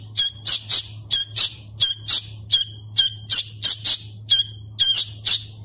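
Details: Sooty-headed bulbul chick being hand-fed, calling insistently with rapid paired and tripled shrill squeaks, bursts repeated every half second or so, low hum underneath.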